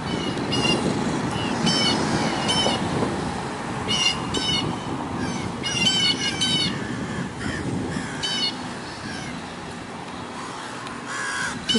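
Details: American crows, with blue jays nearby, harass a great horned owl perched on a roof in 2024 to scare it away; harsh, harmonic caws come in irregular bursts roughly twice a second over a steady background rumble.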